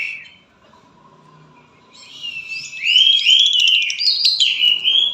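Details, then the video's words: A caged lovebird from Palembang, quiet for two seconds, then bursting into loud konslet chatter: buzzy, rising and falling whistled strokes packed tightly together. "LOVEBIRD KONSLET"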